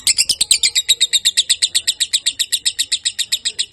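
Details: Long-duration lovebird song heard as a tight, even series of piercing high chirps, roughly six per second, each note short and bright.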